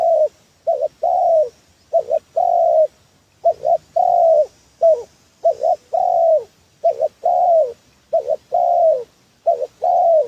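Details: Spotted dove lure call for trapping: a continuous series of cooing phrases, each a quick double note then a longer swelling coo that falls away, repeated steadily for ten seconds.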